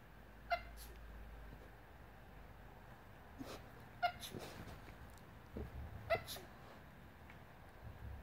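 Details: Pet Australian lorikeet mimicking a sneeze: three sharp, explosive sneeze-like bursts, each with a brief tonal squeak, a few seconds apart, with soft rustling and handling noise between them.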